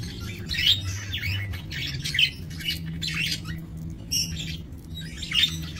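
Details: Captive budgerigars in a small breeding aviary, 28 November 2024, giving bursts of scratchy high chatter and squawks in loose groups, with a constant low droning background.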